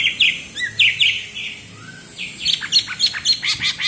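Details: Cucak ijo from Alas Purwo, Banyuwangi, singing bebeci style: warbled slurred notes in quick pairs, a short low whistle, then a rapid run of varied chirps.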